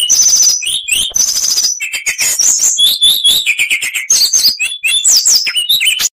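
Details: Oriental magpie-robin (kacer) delivering a continuous full-repertoire song; dense, fast mix of high whistles, rattling trills and sharp chirps with hardly a pause.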